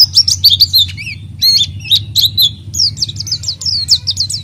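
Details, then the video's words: Oriental white-eye singing hard as a lure for an untrained bird: clusters of rapid high twitters and sliding notes, pausing between bursts, then a quick run of falling chirps, with a low hum behind. "PLECI GACOR UNTUK PANCINGAN PLECI BAHAN"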